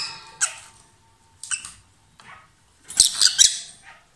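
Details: A lovebird pair, loud in song as they kiss and pass food, gives scattered scratchy squeaks followed by a dense run of harsh, piercing chatter near the end.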